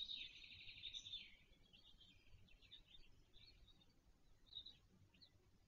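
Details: Late-hatched black stork chick at a nest in Wolsztyn, Poland, on 17 June 2024, seen by webcam: a harsh, buzzy wheeze lasting about a second, then scattered thin chirps over a low rural rumble.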